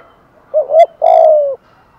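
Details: Single cooing phrase from a decoy spotted dove calling to draw in other doves: a brief two-step rising note, a short gap, then a sustained, gently descending low coo lasting about half a second.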